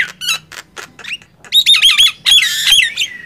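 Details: Two mynas, a Nias hill myna and a black-winged myna, compete in loud gemboran singing; a few spaced harsh notes lead into a quick series of clear whistled slurs and buzzy squawks.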